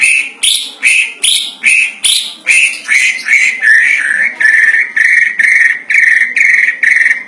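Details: White-rumped shama (Copsychus malabaricus) giving loud, harsh, chattering notes, about two per second, steady and mid-high in pitch; described as a loud song mimicking a monkey.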